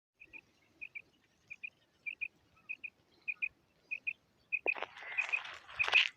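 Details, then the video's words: Female common quail (batair), calling with paired short sharp notes repeated about every 0.6 seconds, then a burst of rustling noise toward the end. "Female Batair Sound / مادی بٹیر کی وقفے والی کرک"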